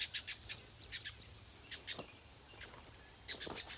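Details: Brown Honeyeater on the left, noisy, at a birding spot near Brisbane (Lake Samsonvale or Samford Eco Corridor): faint, sharp high chirps in short irregular bursts, some doubled, with quiet gaps and a soft low background hum.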